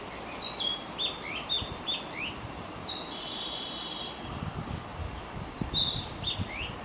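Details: Wild Narcissus flycatcher in song, giving short whistled slurs and upsweeps one after another, a sustained buzzy phrase midway, then more bright whistles; constant low hiss and faint rumbling underneath.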